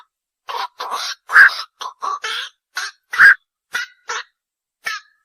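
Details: Night heron producing a series of rasping, throaty squawks, about a dozen in five seconds, two louder nasal notes standing out among shorter rough ones.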